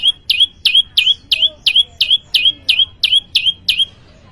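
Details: Prenjak lumut, a prinia, delivering rapid gacor song: a dozen crisp high chirps, each a sharp downward stroke ending in a short rising note, evenly spaced about three per second.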